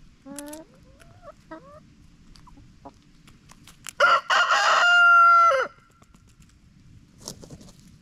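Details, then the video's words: Backyard chickens: a few short rising clucks, then a loud harsh crow ending in a long steady high note lasting nearly two seconds, then a faint call; quiet between. "Backyard Chickens Clucking Noises!"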